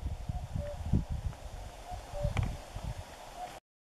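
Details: Common cuckoo recorded at Forgoselo, Spain, on 20 April 2015: distant falling two-note cu-coo repeated about every one and a half seconds, partly masked by gusty wind and low rumbling.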